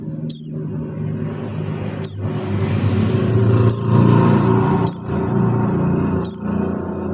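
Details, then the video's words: Lure call of a buxtoni white-eye, aimed at making silent white-eyes sing. High notes drop in pitch, five in total, at uneven intervals over loud, constant low-frequency rumble and noise. "suara CALL PLECI BUXTONI | untuk pancingan PLECI MACET BUNYI"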